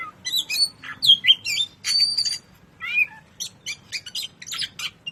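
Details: Oriental magpie-robin, kacer 'ngobra patah' song for masteran training, Indonesia: short bursts of bright whistles and harsh chattering, twisting slurred notes, then rapid scratchy clicks toward the end.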